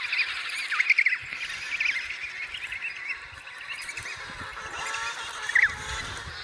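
An emperor penguin chick gives high, thin, wavering whistled chirps in short bursts, a few in quick succession, then a pause before a final squeaky peep.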